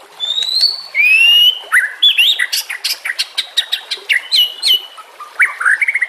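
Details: White-rumped shama singing, a recording for training or luring shamas: long high whistles sliding upward, then a rapid series of sharp clicking notes mixed with warbled phrases, ending on swooping whistles.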